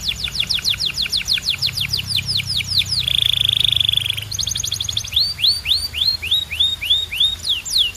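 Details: Canary running through tours: quick downslurred notes, a smooth steady rolling tone held about a second, a fast trill, then rising-and-falling slurred whistles about two per second.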